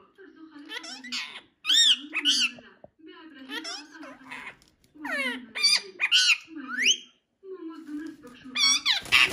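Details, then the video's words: Two parrots fighting and singing: low, speech-like chattering babble broken by sharp rising squawks and bright whistles, in bursts of two to three per second. "Parrot singing & fightig"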